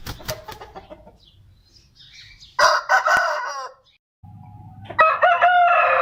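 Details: Aseel rooster crowing in two loud, harsh, drawn-out bursts with layered harmonics, each about a second long and separated by abrupt cuts and quiet background hum.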